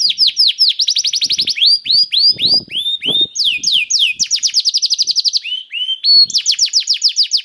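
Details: Canary song played to make other canaries sing: dense rapid trills of high sweeping notes, changing speed and pitch between rolls, with short whistled slides between phrases.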